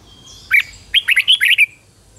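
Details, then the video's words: Decoy red-whiskered bulbul calling in wild birds with one lively whistled phrase: a sharp opening note, then a rapid run of five or six rising and falling chirps. "Chào mào mồi gọi bổi 20 phút Chào mào mồi hót gọi bổi đỉnh cao"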